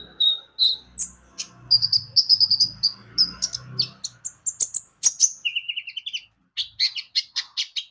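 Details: Brown-throated sunbird, locally konin, in lively lure song meant to set birds singing: quick high chirps and buzzy trills, a short descending whistle series, then more sharp notes, with faint low rumbling.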